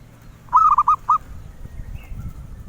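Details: Zebra dove coos a short, soft phrase of five quick hollow notes, then silence except for low background rumble and a faint distant tone.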